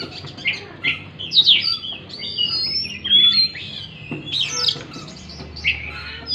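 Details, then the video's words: Oriental magpie-robin song used to rouse a stressed, non-singing bird: scratchy bursts and slurred whistles alternating with longer thin whistled notes in irregular phrases. "pancingan kacer stres macet bunyi"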